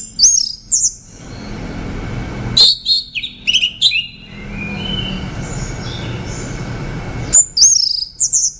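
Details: An orange-headed thrush sings brief bursts of bright, high whistles and quick chirps, separated by pauses of several seconds in which the notes ring on as a faint echo. A fresh phrase opens near the end.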